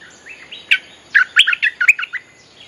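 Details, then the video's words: Lure song of a Streak-eared Bulbul for attracting wild birds: after soft, quiet whistles, a rapid run of eight or so sharp, sweet chirps in a jumbled phrase, each note leaping up and down. "เสียงนกดอกแตงEp.183.ฟังกันยาวๆ เพลงหัดลูกเสอ ใช้เรียกนกป่า Suara pikat merbah lekir gacor"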